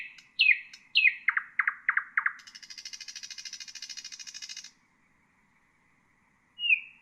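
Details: Common nightingale in full song, a recording for training bulbuls: emphatic falling notes, a series of deep repeated strokes, then a long high buzzing trill over two seconds, silence, and one thin whistle.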